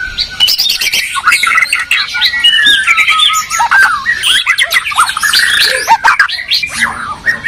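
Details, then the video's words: Medan and Borneo white-rumped shamas singing against each other, known as strongly territorial: a continuous tangle of chattering, whistled and squawking notes filling the whole stretch. "Murai batu gacor medan vs borneo duel dahsyat"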